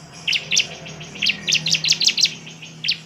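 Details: Bar-winged prinia singing a lure song to provoke other birds: a rapid string of sharp, bright double chirps, then a lone final note, over a faint low hum.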